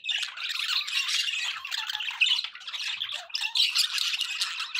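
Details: Budgerigars kept as pets produce an unbroken stream of raspy, bubbling warble with sharp squeaky notes scattered throughout, loud and steady.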